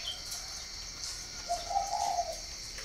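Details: A single low, burry coo lasting under a second from a spotted dove at a breeding farm in Ba Vì, northern Vietnam, set against a constant high-pitched insect drone.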